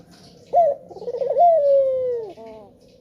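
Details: Lure call of a male spotted dove, used to make others sing: one abrupt opening note, a bubbling tremolo, then a long smooth descending coo ending with softer stepped notes.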